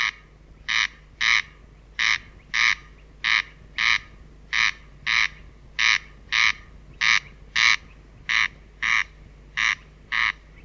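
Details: Corn crake song as a long run of loud, dry, rasping paired notes, crex-crex, steadily repeated about every 1.3 seconds against quiet low hum.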